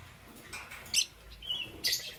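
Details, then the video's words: Morning chirping from green, yellow and lutino lovebirds: two shrill, scratchy high bursts about a second apart, linked by a thin whistled note, with a faint low rumble beneath. "Lovebird Chirping Sounds"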